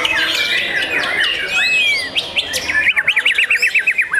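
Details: Young white-rumped shama singing: a run of varied whistles and buzzy sweeping notes, then a fast, even trill of about a dozen sharp repeated notes near the end, set against other overlapping bird notes.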